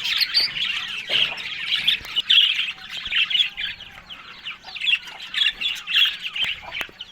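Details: Morning feeding of Australian budgies on green food: busy, scratchy high chatter rising and falling in loudness, with bursts of squawks and chirps running over one another.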